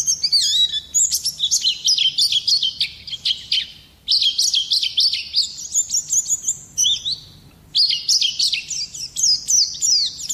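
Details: Oriental white-eye singing to lure and tutor other songbirds: dense high-pitched twittering phrases of two to three seconds, separated by brief pauses.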